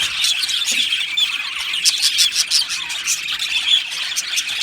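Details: Caged budgerigars chatter as a group, with rapid high chirps and warbles and sharper squeals rising above the constant twittering.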